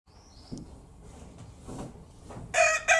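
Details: After a quiet start with faint low rustling, a red junglefowl rooster (Gallus gallus gallus) bursts into a loud, harsh, ringing crow in two strained pulses, cut off before it ends.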